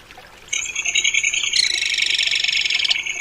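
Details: Crested kingfisher call opening as a harsh pulsed rattle, then swelling into a louder, denser, grating chatter that runs to the end.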